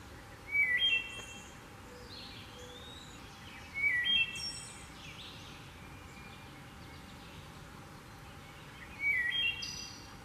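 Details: A wood thrush in Michigan on May 21 gives three flute-like phrases, each a few clear low notes ending in a high, shimmering trill, spaced several seconds apart over steady background hiss.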